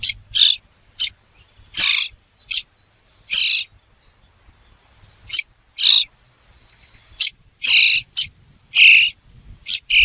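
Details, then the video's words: Many short, harsh bird calls arrive in irregular clusters, rough and scratchy in tone, with a faint low hum in the background. "The sound of a bird"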